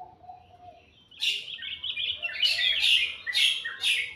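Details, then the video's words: A bird in the morning: a soft low whistle, then a sudden loud run of high, buzzy, rapidly repeated chirps in bursts. "Suara burung dipagi hari sangat merdu"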